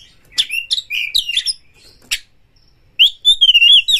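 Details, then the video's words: Oriental magpie-robin, a lively singing bird in breeding condition, used as a lure to provoke another bird into fighting a rival: loud, varied whistled phrases mixed with harsh buzzy bursts, a pause, then a sweeping warbled run. "kacer MENCARI LAWAN TARUNG Pancingan Kacer GACOR bikin jebolnya birahi EMOSI BONGKAR ISIAN buka ekor"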